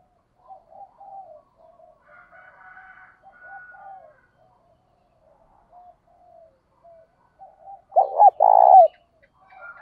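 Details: Spotted dove calling for training wild-caught doves; mostly faint distant low coos from other doves, then one loud close phrase near the end, a short double note and a prolonged throaty coo.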